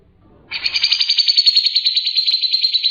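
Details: Actively singing Grey-cheeked bulbul, known locally as cucak jenggot, from a recording for training other songbirds: one sustained, rapidly pulsed buzzy trill begins after half a second and continues unbroken to the end.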